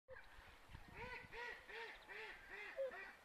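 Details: Whooper swans looking for food give a quick series of hoarse, trumpeting honks, about two or three a second, each slightly arched in pitch, over low background noise.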